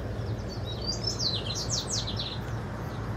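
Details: Double-collared seedeater (Sporophila caerulescens) song: a quick, high, twittering run of sharp down-slurred notes, strongest mid-phrase, over a steady low hum.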